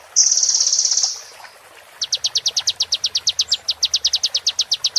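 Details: Sunbird singing, as a master recording for tutoring caged birds. One high buzzing trill fades out, then a fast, even series of sharp high notes runs steadily to the end.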